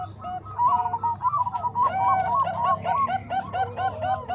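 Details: Zebra dove song mixing Bangkok and Cemani Kolbuntet voices, made for tutoring other doves: a rolling series of soft coos growing louder, several birds overlapping, over a low hum.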